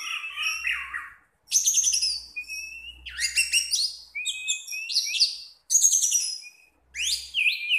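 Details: Captive orange-headed thrush delivering dense bursts of rich, scratchy warbling, each about a second long and separated by short pauses, packed with high sweeping notes, plus a faint low hum.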